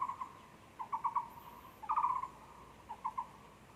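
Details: A Taiwan barbet at a zoo, 24 February 2020, gives hollow, low notes in quick clusters of two to five, about one burst per second, against a quiet background.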